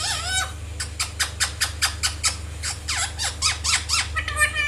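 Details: Indian ringneck parrot, a pet bird in a playful mood, giving a rapid series of harsh, screechy squawks, about two per second, with some rising and falling notes, over a low steady hum indoors.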